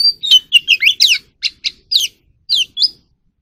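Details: Oriental magpie-robin song, played for voice training of kept birds: a quick run of about a dozen sharp, varied whistled and chirped notes, bright and high, some sweeping down, with short gaps between them.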